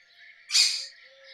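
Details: One short, raspy, explosive screech from a rose-ringed parakeet against faint background tones.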